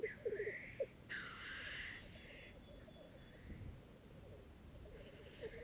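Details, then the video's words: At the arena, displaying male black grouse compete for females: a few short bubbling notes at the start, then long harsh hissing sneezes, with quieter gurgling underneath. "corteggiamenti accoppiamento dei galli forcelli in arena"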